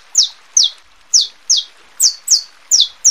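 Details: Repeated downslurred chirps from a saffron finch, a song meant to excite other birds, ready females and teach chicks; eight bright notes at uneven intervals, slightly spaced, with a quiet background.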